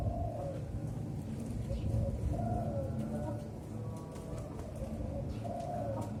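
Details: Young zebra dove, four to five months old, in singing training on a hoisted perch, repeats soft warbling coo phrases roughly every two to three seconds, with short notes between and a low droning background.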